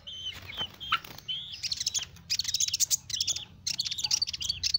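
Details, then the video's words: Sunbird song used to lure small birds: sharp high chirps and short whistled notes, then dense bursts of rapid, very high twittering phrases separated by brief pauses. "Suara burung Kolibri Ninja"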